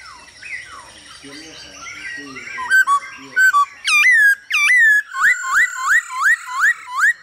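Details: Hwamei male singing in response to female calls, used to stimulate and train singing birds: soft mixed warbling at first, then a run of loud, clear upswept whistles repeated about twice per second, growing more regular.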